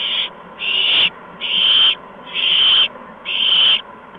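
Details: Evening food deliveries of mice and a gopher to three owlets, 13 March 2015, near 8 PM: five rasping hiss-screeches, fairly evenly spaced about once a second, each lasting around half a second, above a low constant hum.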